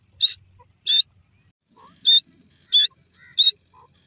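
Grey francolin giving loud, shrill, harsh notes, five in four seconds at a steady pace, with faint soft chirps between them.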